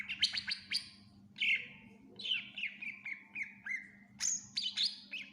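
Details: Greater green leafbird in full, energetic song packed with fill-in phrases, used for tutoring other birds: varied sharp whistles and chirps, falling slurs and rising notes in quick bursts, over a steady low hum.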